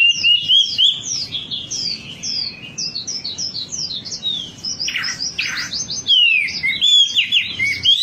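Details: Wambi song meant to prompt birds into singing: rapid strings of high, thin chirps in quick succession, interrupted by a few harsher buzzy notes midway.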